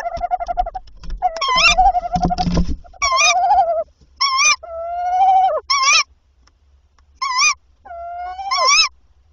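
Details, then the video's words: At a tawny owl nest on the night of 7–8 April 2023, the male delivers prey, three items by 1 am. Harmonic, wavy, nasal calls come in short bursts and drawn-out slurred notes, some falling at the end, with a brief rustling thump early on. "Bosuil prooioverdrachten"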